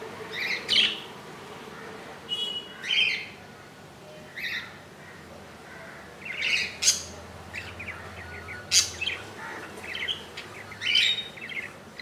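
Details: Newborn budgerigar chick only an inch long, two days after hatching on 15 July 2018, calling in its nest: repeated shrill, scratchy squeaks about every one to two seconds, uneven in loudness, over a faint low hum.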